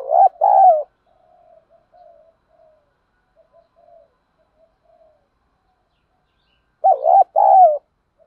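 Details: Spotted dove lure calls for training decoy birds: a loud two-part coo opens, then soft, low broken cooing fills a long gap before another strong double coo near the end.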